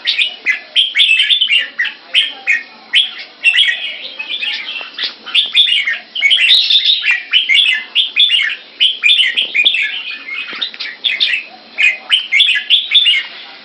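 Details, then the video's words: Two caged Red-whiskered bulbuls in Singapore, matched against each other in keke training. Rapid bursts of bright, slurred whistled notes repeat roughly twice a second in steady pulses, with scattered thin high clicks. "Jambul - สิงคโปร์เลี้ยง นกหัวจุก"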